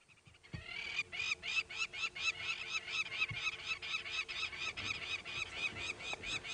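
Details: On a winter morning drive at Arathusa, 21 August 2016, several lapwings call overhead above an open area in a loud, nonstop chorus of harsh, ringing notes, one or two per second, over a faint low engine hum.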